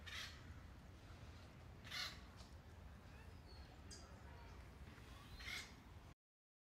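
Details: An Acorn Woodpecker, a social species that caches acorns in a granary tree for winter, gives three harsh, nasal, crow-like calls spaced a few seconds apart over a steady low rumble of background noise.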